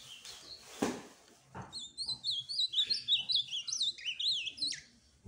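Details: Ultramarine grosbeak song: a steady stream of clear, high warbled whistles, wavering up and down, after a brief knock at the start; little else audible.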